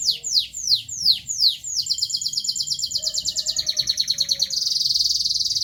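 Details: Local canary song opening with five loud downslurred whistles, then a long rapid rattling trill, a steady series of quick notes and a final dense high roll, all very high-pitched over quiet background hum.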